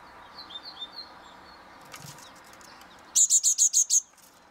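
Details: After faint rustling and distant soft chirps, great tits in Mariahoeve, The Hague, on an eleventh floor in May 2023 give a loud run of six evenly spaced, piercing high notes.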